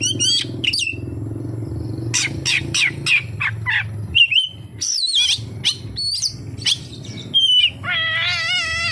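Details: Oriental magpie-robin song carrying kapas tembak imitations: spaced, sharp downward whistles, twisting high phrases, and a final drawn-out, wavering nasal note with a stepped tone.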